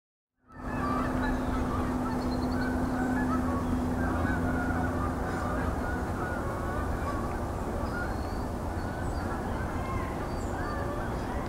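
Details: A flock of Canada geese at Hockanum Reservoir, East Hartford, Connecticut, on 18 October 2024 honks continuously, with many overlapping nasal calls forming a dense chorus.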